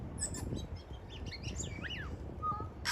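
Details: Tui in Devonport, Auckland, New Zealand, recorded on an iPhone 11: a quick run of sliding, twanging notes rising and falling in pitch, followed by a short clear whistle, over low wind and outdoor rumble.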